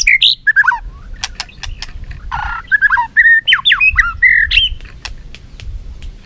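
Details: White-rumped shama in a singing contest with tail flicking: a jumble of harsh squawky notes and abrupt swooping whistles, broken by loud clicks, louder in the middle and fading to scattered clicks.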